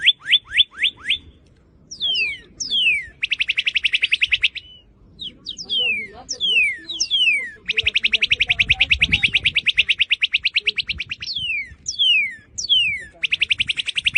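A cardinal sings loud, clear whistles that slide steeply downward in quick series, alternating with long, rapid, even trills of bright chip-like notes. No other sounds are heard.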